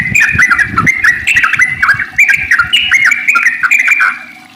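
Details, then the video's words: Persistent singing sooty-headed bulbul with a long rolling song meant to prompt other bulbuls to sing: rapid chattering, bubbly whistles in tight, overlapping phrases that dip and rise, with brief low thumps at the start. "trucukan gacor ropel panjang buat pancingan trucuk agar bunyi"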